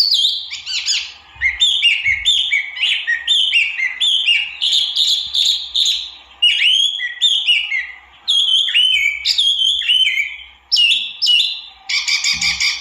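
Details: Long, varied song of a white-eye known as tieu mi or wambi mini: rapid, rhythmic whistled phrases that step down in pitch, mixed with sharp trills and rapid chatter, with only short gaps.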